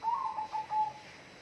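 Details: A single whistled bird phrase: a quick series of fluttering notes dropping into a level tone that fades out within a second, over light hiss.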